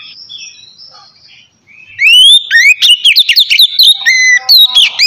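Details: White-rumped shama singing calmly and continuously, played to prompt reluctant birds to start singing; soft high notes first, then from two seconds a loud burst of rising whistles, clipped chips and varied warbling phrases.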